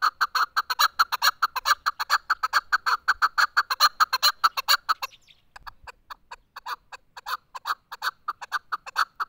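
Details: Chukar partridge delivering a fast, loud string of chuk notes, pausing briefly, then resuming with a looser, slightly slower clucking series.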